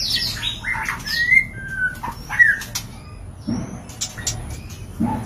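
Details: White-rumped shama mating call, used as a lure to bring birds into breeding condition: varied whistled phrases, some sliding down, others short and rising, broken by pauses, with a few clicks and knocks.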